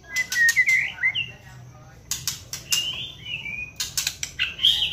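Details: White-rumped shama song used as a lure to make the bird sing and turn aggressive: short whistled phrases, some sliding upward, between sharp broadband clicking bursts.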